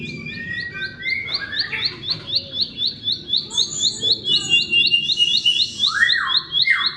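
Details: Song of the bar-winged prinia, played to lure silent birds into singing: a long run of quick, high, clipped notes repeated roughly four per second, with a few buzzy chirps and lower calls mixed in.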